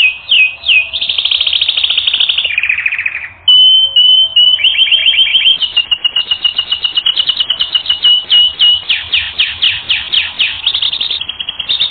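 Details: Canary singing for training, a loud sustained stream of high trills: a brief buzzy roll, a clear held whistle, then many rapid repeated chips gradually swelling into stronger sweeping notes.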